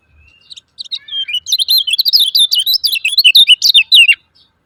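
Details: Lemon-bellied white-eye giving its 'ciak ciak' call, a lure meant to make silent birds start singing: a soft note, then a fast, dense run of sharp, twisting high chirps that build in loudness and continue for about three seconds.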